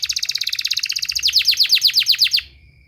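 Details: Canary therapy song for training birds: a quick rattling trill shifts into slower, louder down-slurred notes, roughly ten of them, then stops abruptly, leaving a faint steady tone.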